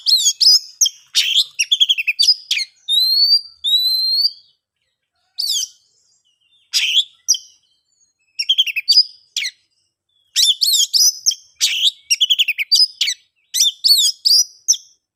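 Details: Long ngeplong-style song of an oriental magpie-robin, used to lure silent birds into singing. Dense, varied phrases of chattering chirps and paired rising whistles are followed by repeated rapid note bursts with short pauses throughout. No background noise.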